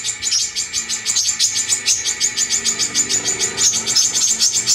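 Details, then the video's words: Brown-throated sunbird gives a rapid, high, thin chattering song, about three sharp notes a second, with a faint lower background hum. Used as a lure or training song to prompt other birds to sing. "pancingan kolibri kelapa(KORLAP) langsung ikut bunyi"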